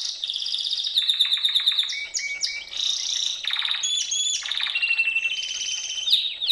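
A canary sings a continuous, high, varied song of rapid trills, buzzy rolls and sweet whistled notes, shifting phrases every second or so.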